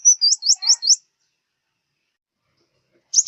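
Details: Brief phrase from a southern Vietnamese five-colour sunbird, used as a glue-trap lure: one thin whistle then four quick upslurred high notes, a long silence, and another sharp burst at the end.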